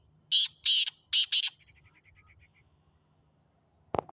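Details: Sindhi black francolin giving four loud, harsh, grating bursts in quick succession, followed by a run of faint ticking and a single short click near the end.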